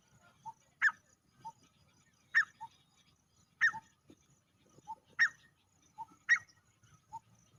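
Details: Male grey francolin giving a three-part call about every one and a half seconds: a soft lower note, a loud sharp higher note, then another soft low note, five times.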